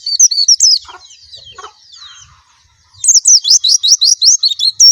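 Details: White-eye: brief high twitters, a softer lull, then a loud burst of rapid, sharp slurred notes repeated quickly.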